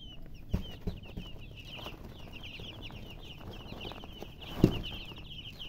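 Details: Baby chicks chirping: a steady stream of short, high peeping notes throughout, with a few low thumps and knocks in the background.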